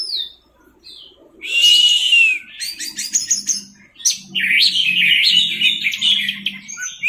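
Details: Orange-headed thrush masteran recording in teler style: after quiet high notes, a loud descending whistle and then a rambling run of varied warbled notes, over a low steady hum.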